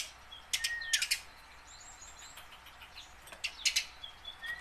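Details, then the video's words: Tame house sparrow used to draw wild sparrows into song gives clusters of sharp, bright chirps in two groups, with faint thin whistled notes between. "burung gereja jinak belajar bunyi"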